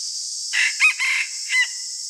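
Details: Morning crow of a decoy red junglefowl used to lure wild birds: one brief, raspy, four-syllable crow cut off abruptly, set against constant shrill insect background.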